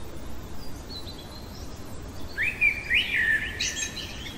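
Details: Common blackbird at night, faint distant song early, then a louder short phrase of rising fluty whistles ending in a high squeaky flourish, steady low rumble throughout.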